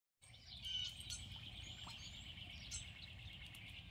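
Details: The season's first purple martin, a scout, gives chirps and gurgling chatter at a fairly high pitch with scattered sharper notes over a low rumble of wind and background noise.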